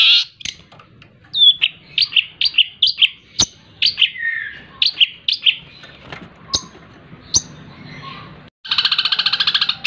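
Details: Captive long-tailed shrike, hand-raised and taught with mp3 tutoring, giving a series of short chirps and whistled notes, some clicks, then ending with a loud rapid buzzy rattle.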